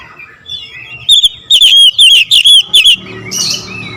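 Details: Oriental magpie-robin in nembak ngerol song: a quiet start, then a fast string of loud, sharp, looping whistles for about two seconds, followed by faint background rustling.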